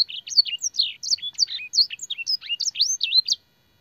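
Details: Lively canary song with blackthroat and sanger phrases, used as master training material. Clear, separate high whistles, swooping up and down, come about three times a second before the song stops.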